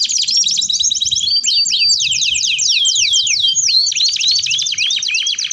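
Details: Canary in full song, played to train other canaries to learn sounds: rapid trills of sweeping notes, downward-slurred chips repeated in bursts, continuous and bright, with brief pauses between phrases.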